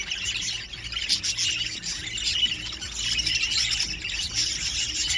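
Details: Show budgerigars, a spangle family of parents with their babies, chatter continuously in dense, scratchy warbles and chirps, several birds overlapping.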